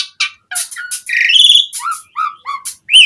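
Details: Asian pied starling in vigorous, fill-rich song, used as a lure for captive starlings: scratchy chatter, a sustained buzzy whistle, then short falling whistles and a sharp high note at the end.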